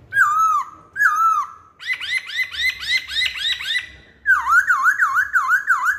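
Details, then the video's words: Lure song from a masked laughingthrush: two drawn, dipping whistles, a quick series of repeated rising hooked notes, then a loud run of V-shaped whistles. "Kicauan Poksay Hongkong"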